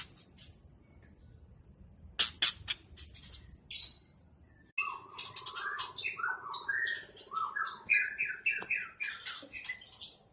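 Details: Champion competition white-rumped shama giving 'tembakan' song bursts: a few sparse sharp chirps, a quiet pause, then a dense run of rich, varied whistled phrases that slide up and down over a low steady hum.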